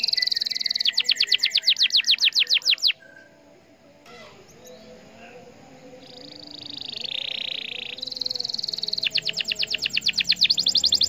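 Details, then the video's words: Canary song used to provoke other canaries into singing: fast runs of high, sharp, repeated chirps in rolling trills, a quieter break with a soft buzzy note, then more rapid trilled chirping. "Pancingan Kenari Gacor Cuit Cuit"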